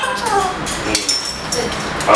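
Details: A male galah (rose-breasted cockatoo) talks in a raspy, hoarse voice, mimicking his Cantonese nickname "菊花頭" and the phrase "Kung Hei Fat Choy". The short phrase ends on a brighter, higher-pitched syllable.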